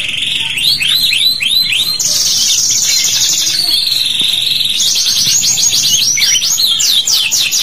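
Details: Canary song played as a lure to get young canaries singing; loud, fast, rising chirps in runs, then long buzzy trills at high pitch, repeated in rolling phrases.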